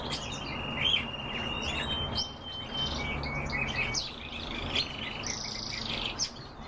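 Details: European bee-eaters calling: many short chirping and rolling notes overlap throughout, with a clearer drawn-out tonal note early on and louder bursts near the first second and toward the end, over a steady low background hum.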